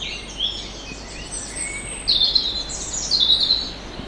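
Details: A common chaffinch on the moorland and forest trail of the Landes de Locarn in Brittany, France, gives a bright, high song of quick notes that run down in a brisk phrase. Fainter bird chirps and soft outdoor hiss behind.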